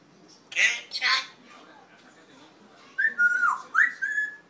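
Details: Pet red-tailed African grey parrot indoors: two rough, noisy squawks, then after a pause a run of whistled notes that dip and rise again before levelling off.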